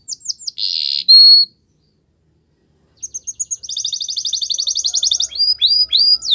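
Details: Canary song with quick whistled notes and a buzzy burst, a pause of silence, then repeated high chips building into a fast, pulsing trill and sweeping whistles.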